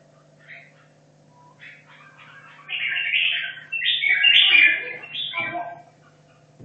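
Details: Caged red-whiskered bulbul from Hanoi, kept 2.5 years, training for a song contest; quiet chirps build into a loud, rapid run of slurred, chattering warbled notes lasting about three seconds, with a low background hum.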